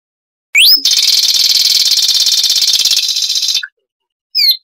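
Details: Zapata wren from Cuban lowland scrub: a quick upward-sweeping whistle, then about three seconds of dense, buzzy, high trilling, and a brief return of slurred whistles after a pause. The song is high and loud.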